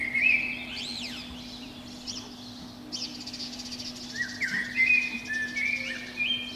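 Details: Wild Eurasian blackbird singing from the top of a pine beneath a window on a spring morning, at dawn between five and seven. Fluty, warbling whistled phrases open the clip, then a longer run of rising and falling notes follows, over a steady low hum.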